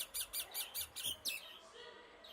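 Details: Common myna giving a quick run of six harsh, buzzy notes about a fifth of a second apart, each rising and falling, then the series stops; faint room noise behind.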